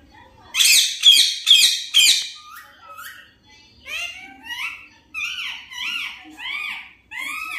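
An Indian ringneck parakeet chatters in a high, squeaky voice, first a quick burst of harsh syllables, then a run of rising and falling whistled word-like notes.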